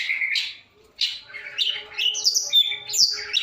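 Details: Long-tailed shrike singing a varied song: a slurred whistle, then a brief pause, then a tumbling series of high chirps, buzzy notes and a sharp whistle, with a faint low hum underneath.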